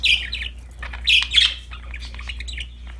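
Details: Happy pet budgerigars, several birds playing with a new toy, chattering in bright, scratchy warbled chirps and squeaks that come in quick bursts, with louder clusters near the start and middle and softer twittering between them in a quiet room.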